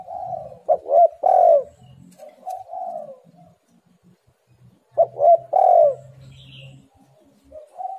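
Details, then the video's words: Lure call of a spotted dove meant to make reluctant birds start calling: low hollow cooing, clipped notes leading into a drawn-out coo, phrases returning roughly every two seconds with faint background hum. "tekukur super gacor Suara HAS pancingan untuk burung yang malas bunyi"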